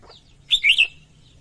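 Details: Female red-whiskered bulbul song meant to stimulate males: a single short, bright three-note warble, slurred down and up, preceded by a faint chirp.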